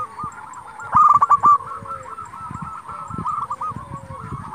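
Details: Local zebra dove in full song, played to provoke rival doves into answering: one loud burst of rapid stuttering coos near the middle over a continuous background of many other doves cooing.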